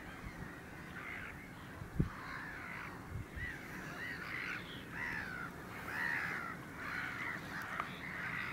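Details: Caspian gull on 9 March 2016, the same individual, starting with a few scattered notes, then breaking into a steady stream of loud, arched, wailing calls, with one sharp knock early on.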